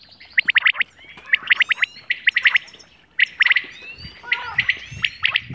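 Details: Quail calling in natural surroundings, recorded for hunting: quick bursts of four or five sharp clipped notes, repeated about every second, among softer chirps and rustling.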